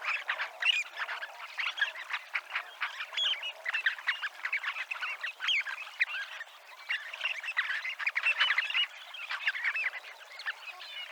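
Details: Flock of Dunlin (Calidris alpina) by the promenade at Abruñeiras, Noia, Ría de Noia, giving an unbroken babble of clipped, reedy calls, rising and falling in intensity over about eleven seconds.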